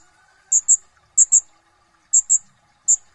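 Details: Sunbird, known locally as kolibri ninja, singing actively in a full, bursting style: sharp high chirps delivered mostly in quick pairs, each pair separated by roughly half a second to a second of quiet, over faint low background hum.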